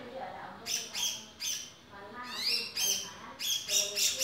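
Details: Male grey-cheeked bulbul producing clusters of loud, raspy, nasal notes separated by brief pauses, some notes sliding upward, with quieter low warbled tones between bursts.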